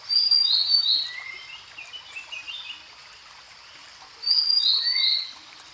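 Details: Grey-headed canary-flycatcher, an Asian bird, sings two high whistled phrases about four seconds apart, each a sharp high note stepping down to lower sweet tones, with a faint trickling hiss behind.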